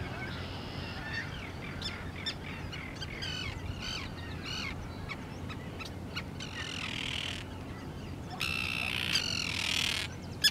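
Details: Arctic tern calling at Lake Ontario, Canada: scattered harsh, rasping notes across the first seconds, then a louder run of grating, buzzy broadband calls near the end, over a steady low rumble of background noise.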